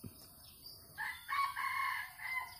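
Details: Red junglefowl crowing in an oil palm plantation on 12 August 2021, heard during luring. A moderately loud, hoarse crow runs in broken segments over a faint hiss and insect background, then tails off.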